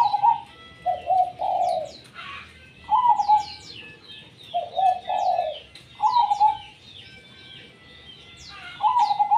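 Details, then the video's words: Zebra dove (perkutut) singing eagerly in the tumpang sari style. Soft, quavering, trilled coos repeat in phrases of two or three notes every couple of seconds. Sharp, descending high chirps of other birds sound continuously overhead. "perkutut gacor tumpang sari"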